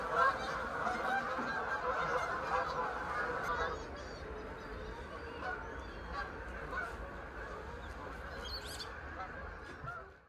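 A large flock of Canada geese passes overhead, a dense chorus of overlapping nasal honks that is loudest at first and then thins and fades.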